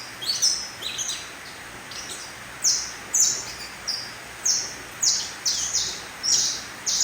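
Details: Three-month-old mutation canary, a young bird, giving short high chirping notes and brief twittering bursts about once a second over a steady background hiss.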